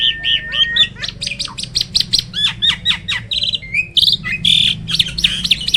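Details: Black-winged starling, a bird rarely met in the wild, giving a steady string of sharp, clipped chirps punctuated by longer whistled and squeaky notes.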